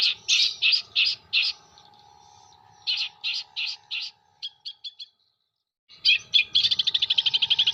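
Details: Long-tailed shrike from Jember, its song packed with copied material such as kuntilanak, sparrow and tengkek buto calls. Loud evenly spaced chirps pause, then come soft ticking notes, a second of quiet and a rapid trill.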